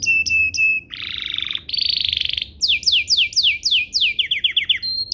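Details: Canary song to encourage other canaries to sing: crisp paired chips, two buzzy rolling trills, then a series of sweeping downslurred whistles about four per second and quick falling notes.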